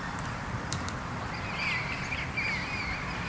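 A palm cockatoo gives two thin, high whistled notes about a second apart, each bending up then down, over a steady low rumble.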